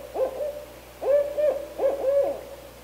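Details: Barred owl, a wild female with her young in Canada, hooting loudly in three paired bursts, each a rising then level, slightly wavering note, spaced under a second apart over a quiet background.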